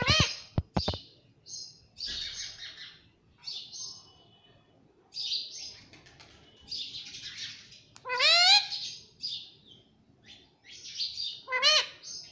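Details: Talking parrot said to repeat mummy and papa, giving bursts of high scratchy chirps in uneven runs, then a loud harmonic up-swept squawk near the end, with quiet gaps between.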